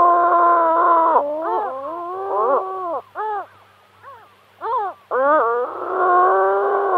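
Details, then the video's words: Gull calling: loud drawn-out nasal wails with rich overtones, broken into short rising and falling yelping notes in the middle, then a long harsh wail again; no other sounds. "Хохотун. Голоса птиц"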